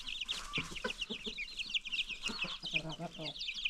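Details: Free-range farm chickens with new baby chicks: a dense chorus of high, quick downslurred peeps from many chicks overlaps short, low, repeated clucks from adult birds.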